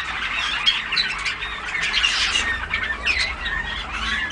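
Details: Group of juvenile Malinois Waterslager canaries recorded 14 August 2009, giving a crowded tangle of high chirps, squeaky notes and short warbled runs, all voices overlapping steadily.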